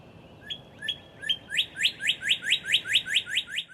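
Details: Northern Cardinal along Beargrass Creek in Kentucky: three spaced clear slurred whistles, then a fast series of loud downslurred notes, about five per second, over a soft low background hum.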